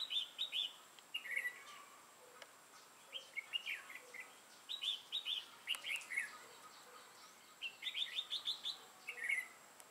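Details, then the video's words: Red-whiskered bulbul used as a decoy for bird trapping, a 'mào lân' crested bird with a dark bib, recorded 6 November 2018: short whistled, warbling phrases repeated in bursts every second or so, with faint background noise. "Bẫy chào mào Mào lân hầu bò yếm đậm"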